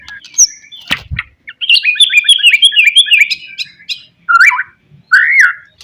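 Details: Murai batu or white-rumped shama in a lure song to agitate rivals: a fast chattering trill of high notes, then two loud looping whistled phrases, preceded by a sharp knock.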